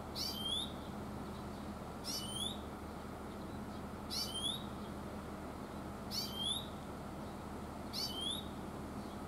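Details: An Oriental greenfinch, recorded in the mountains, gives short, high, twittering "chuiin" calls about every two seconds over a steady low rumble of background noise.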